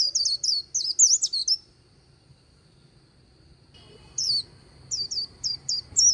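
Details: A white-eye on the Kỳ Cùng riverbank sings in "líu" style: a brief burst of high, twisting, squeaky notes, a two-second pause, then several separate thin upslurred chirps spaced apart.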